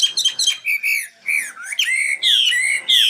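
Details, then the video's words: Nightingale song: clear whistled notes and rich slurred phrases, some rising and some falling, with short gaps between them. "Best singing nightingale 2016"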